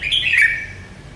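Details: Merbah lekir bulbul with a single brief, harsh, slurred note that falls in pitch, lasting under half a second, against a quiet background.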